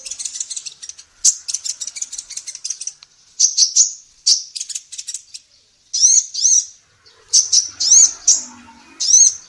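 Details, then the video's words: Female sunbird in vigorous song for training songbirds: a long opening of rapid, high twittering, then separate sharp, bowed chirps in ones and twos, with faint low noise near the end. "SUARA BURUNG KOLIBRI NINJA BETINA GACOR"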